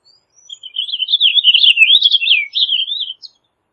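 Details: Purple Finch singing a continuous rambling warble of roughly two and a half seconds, fast slurred notes wavering up and down, with a short final flourish; background otherwise quiet.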